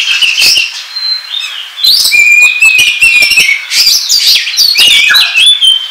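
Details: Ngobra-style Oriental magpie-robin song played as a trapping lure: scratchy high chatter at first, then a clear sustained whistle followed by dense, fast, varied twittering and buzzy notes throughout.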